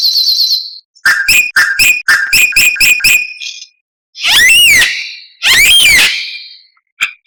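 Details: White-rumped shama (murai batu) masteran song full of varied phrases: a burst of quick repeated sharp notes with whistles, then two long loud sweeping whistled phrases and a final brief chip.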